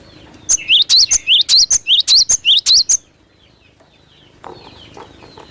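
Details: Cinereous tit (glatik batu) singing vigorously: a strong series of about twelve piercing, upswept high notes at a steady fast pace, then near silence with a faint low rustle.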